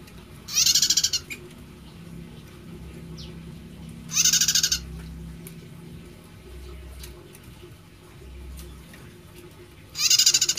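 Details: Unusual-sounding prinia song: three short, buzzy pulsed trills spaced several seconds apart, each a rapid rattle of harsh notes, with a faint thin whistle in a gap and low rumbling background noise.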